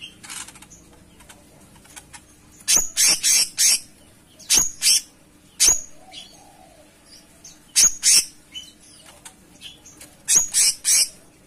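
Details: Cucak cungkok singing vigorously: short bursts of harsh, high chirping notes in clusters of two to four, separated by pauses of about one to two seconds, with a quiet background.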